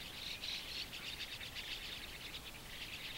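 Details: Hungry pale-plumaged White-cheeked Starling fledglings begging for food as parents or helpers bring caterpillars beside a shallow waterhole, early June 2015 in Japan; dense, rapid harsh chattering, buzzy and continuous, with faint chirps riding on top.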